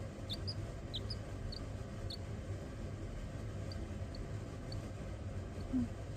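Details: Baby chickens (chicks) give brief, high, thin peeps, about ten scattered across six seconds, over a steady low rumble.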